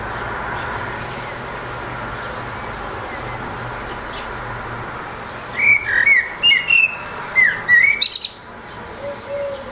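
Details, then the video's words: A lone Eurasian blackbird singing on a rooftop: after about five quiet seconds, a run of mellow fluted notes rises and falls, ending in a thin, high squeaky twitter, then a soft low note. "Magányos rigó énekel a háztetőn"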